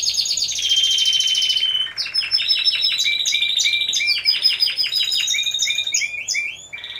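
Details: Timbrado Español canaries singing in a four-bird team class at a November 2015 singing contest; dense high rattling trill shifting into lower rolls and choppy repeated metallic notes, continuous throughout.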